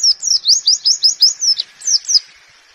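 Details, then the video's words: Warbling white-eye tutor song in the 'nembak' style for caged birds, to be played in the morning: a clean series of about ten quick, high, swooping notes, evenly spaced, ending in a fading trill. "Masteran Pleci Nembak"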